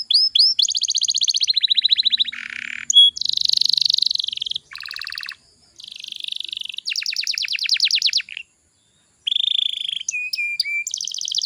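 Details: Canary singing as a lure meant to excite young birds into singing: a varied chain of high trills and rattles with quick buzzy rolls, short whistled notes and rapid repeated chips, separated by brief silences.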